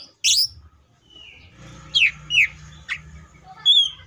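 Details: Greater green leafbird in tembakan song: a harsh opening note, a soft thin whistle, then several separate sharp down-slurred calls and a final high whistle over a light background hiss.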